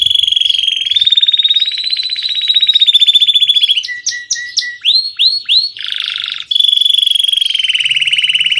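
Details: Belgian canary delivering rapid, evenly pulsed trills held at one pitch, broken by a series of sharp rising whistled slurs and a harsh buzzy section before the fast trill resumes.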